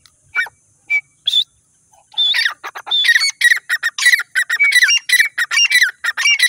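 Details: Fed grey francolin chicks from Sindh start with a few single whistled notes, then break into a dense, excited chorus of squawking, wavering calls.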